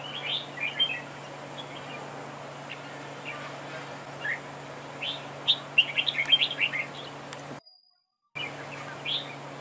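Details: Red-whiskered bulbul as trap-duel decoy, giving scattered soft whistled notes, then a quick lively burst of warbling around the middle before a brief cut to silence; low hum throughout.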